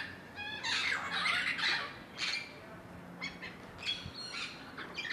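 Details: Caribbean green parrots calling in Cancun, Yucatán, Mexico, giving a burst of rough, grating squawks that run together early on, followed by shorter scattered harsh notes against a faint, steady low hum.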